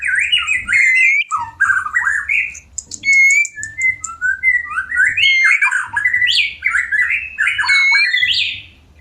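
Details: White-rumped shama singing while in breeding condition and ready to mate: rapid run of rich, slurred, warbling phrases that rise and fall, with thin high whistles above, bursts separated by short pauses, faint low hum behind.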